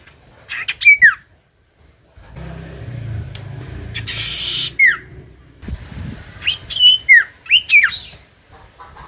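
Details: Lure song of the common iora, meant to prompt silent birds to answer: sharp descending slurred whistles in separated clusters, with a soft low hum in the background between phrases.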